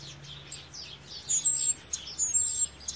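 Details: Tomeguín del pinar, the Cuban grassquit, performing the 'triple silvado' song without pauses, scolding or whisper notes; piercing high thin whistles stretched and repeated, with faint lower twittering chirps throughout.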